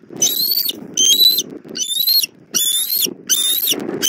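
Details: Southwest Florida bald eagle nest, 1 April 2024, 17:30, mother delivering dinner to the chick, filmed by nest camera: five bursts of shrill, piping whistles with bright overtones, each about half a second, separated by short gaps with soft rustling.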